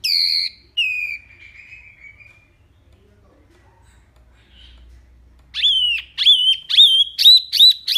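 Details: A mini wambi delivers a clear "tembakan" song, used as tutor material for training cage birds: two long whistles falling and sliding down, a pause, then a rapid run of sharp, upswept whistled notes.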